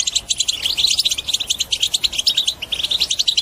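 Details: Vigorous European goldfinch song, used to get other birds singing: a tight, continuous chatter of sharp high chirps and rolling trills.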